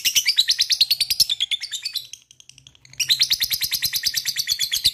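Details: Lovebird giving a long ngekek song meant to trigger other lovebirds into singing: fast rasping pulsed chatter, a short quiet gap near the middle, then another sustained burst of rapid harsh notes.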